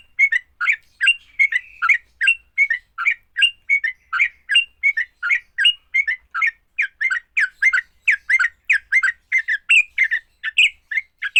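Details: Fighting-style song from a sooty-headed bulbul, meant to set other bulbuls singing. A sustained, energetic stream of short bubbly, slurred notes runs for over ten seconds with hardly any break.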